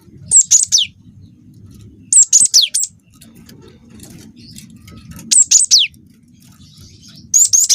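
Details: Cinereous tit (gelatik batu), a young Wingko bird singing loudly, recorded to lure other birds into song; short bright phrases of three or four sharp whistled notes with falling slides, repeated roughly every two to three seconds.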